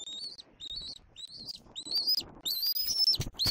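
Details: Young bald eagle at a Southwest Florida nest on an April 2024 afternoon, squeeing toward its mother: quick series of short, high whistled squeals, the later ones longer and drawn out, with soft thumps between.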